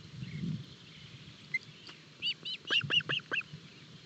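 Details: Osprey chicks at their nest in Barlinek forest, early breakfast on 25 June 2022, from a live nest camera: a quick burst of sharp, high, downslurred chirps, several in close succession, over a low background rumble.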